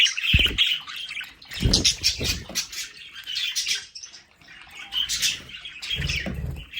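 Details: Budgerigars kept at home in a play area, chirping and squawking in uneven bursts, mixed with wing flutters, thumps and rustling.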